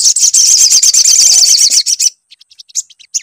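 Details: Sunbird song played as a lure to make other sunbirds sing: a fast, high, buzzy chattering trill for two seconds, then scattered thin chips and short squeaky notes.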